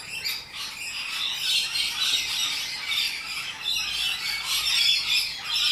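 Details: Flock of wild rainbow lorikeets in Australia keeps up a steady, dense chorus of shrill, rasping squawks, overlapping calls with no real pauses.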